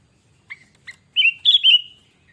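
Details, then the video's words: Sooty-headed bulbul used as a lure: two faint clicks lead into a loud, rich whistled phrase that rises and then falls in pitch, with no other sounds. "Kutilang Gacor Pancingan"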